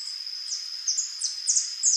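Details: Rufous-tailed jacamar (Galbula ruficauda) giving a few sharp, high descending notes at irregular intervals, each sliding steeply downward, over a steady high-pitched continuous tone in the background.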